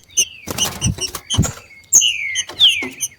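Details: Two wild green-winged saltators competing in nature, giving several short whistled notes that slide downward, mixed with sharp high chips and loud broadband clicks and knocks.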